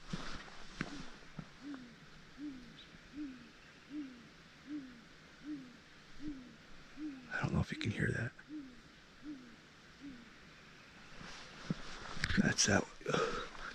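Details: A Great Gray Owl at night on April 25, in deep snow, fairly close in trees by a road, gives a long, evenly spaced run of deep, soft hoots about every 0.7 seconds, answering a second owl; a man talks quietly.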